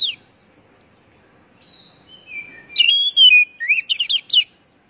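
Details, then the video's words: An Oriental magpie-robin sings a varied phrase of clear whistles, then rapid buzzy up-and-down notes, all high-pitched over a quiet background; the recording is used to prompt other magpie-robins to sing. "Pancingan Burung Kacer Agar Cepat Gacor"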